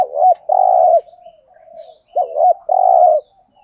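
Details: ['Spotted dove decoy bird cooing to lure wild doves; two-part phrases of a short looped coo followed by a long, even, low coo, repeated twice about two seconds apart, with faint softer murmurs between.']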